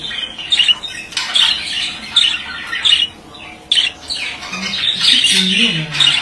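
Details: Singing male budgerigar: loud bursts of chirping, scratchy warble roughly every second, with quieter chatter between.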